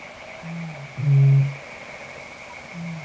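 Eurasian bittern booming: a deep, hollow, foghorn-like hoot swelling loudest for about half a second, with softer low notes before and after, over a faint steady high hiss.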